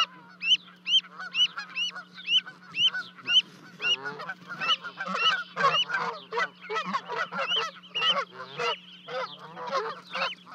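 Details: Canada geese at Charlo, Montana, on 12 May 2020, livecam at an osprey nest 30 feet up as two goslings leap down to their parents; clear regular honks give way to a dense, overlapping clamour of calls.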